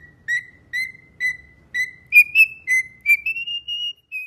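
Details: Cockatiel whistling a tune: a run of about ten clear, pure whistled notes, the early ones short and steady, later ones stepping higher and lengthening into drawn-out tones, with a faint low hum in the background.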